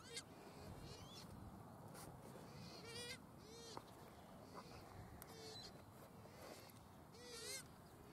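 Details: Pukeko (Australasian swamphen) recorded at Waterford park, Christchurch, in April 2019: scattered harsh, nasal screeches at uneven intervals over a noisy, windy background.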